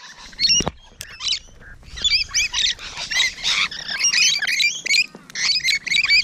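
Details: Rainbow Lorikeets at close range on the morning of 12 June 2017, giving dense bursts of shrill, screechy chatter and harsh squawks, overlapping calls packed in rapid succession.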